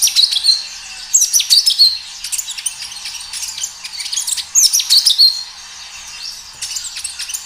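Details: Kinoi song, a natural lure to get kinoi singing: bursts of high, sharp, twittering chirps and brief bright notes, some phrases long and tumbling, with quieter gaps and a soft background hiss.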